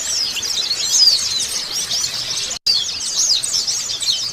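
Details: White-eye singing after its moult: rapid, high-pitched twittering warble of thin chirps and trills, continuous apart from a brief silent break midway.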